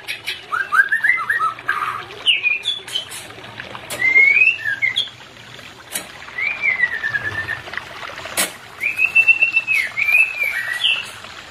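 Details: White-rumped shama, from a recording played for a pair that is not in breeding condition: separate whistled phrases, some rising and some long and slurred, spaced by quiet gaps, with occasional sharp clicks.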